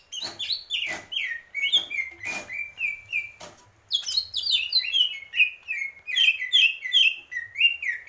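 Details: Greater green leafbird song: a rapid run of varied whistled, slurred notes, many dropping in pitch, with sharp clicks early on and a faint low hum beneath.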